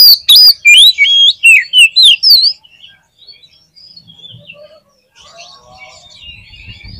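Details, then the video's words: Oriental magpie-robin in vigorous song: a quick string of loud whistled notes, some swooping up and some down, about eight within two seconds, then faint distant twitters and soft background noise. "SUARA KACER GACOR"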